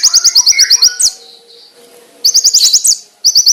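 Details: Konin singing a training master song with rich fills and sharp, loud, clear bursts: quick runs of high slurred chirps, each phrase ending in a rising squeak, broken by short pauses and faint lower twitters.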